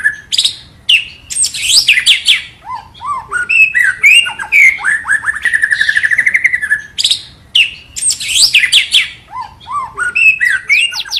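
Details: White-rumped shama singing as a lure to get another bird singing; rich, fast-changing phrases of bright whistles, chirps and slurred notes, with a steady run of quick repeated notes midway.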